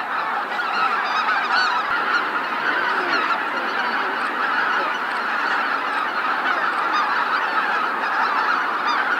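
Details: Roost flight of greater white-fronted geese at Miyajima-numa in Bibai, Hokkaido, 2016, recorded with a JVC LS300; steady, crowded honking from a huge flock, a continuous babble of yelping calls.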